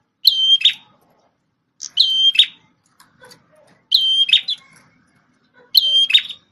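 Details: Lively prenjak tamu prinia, red-headed and once a master for shama training, repeats a ringing high whistle with a buzzy rattle at the end. Four phrases come at roughly two-second intervals, with soft faint chips between them.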